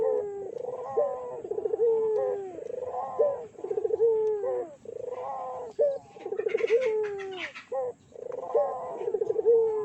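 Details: Barbary dove calls used to provoke rival doves: loud rhythmic rolling coo phrases with rising then falling glides, repeated roughly every two seconds, with a brief hissing sound midway.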